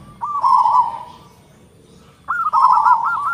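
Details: Local zebra dove with a big voice and tightly packed notes: two loud phrases near the same low pitch, each a long rolling coo followed by quick bubbling notes, with a short pause between them.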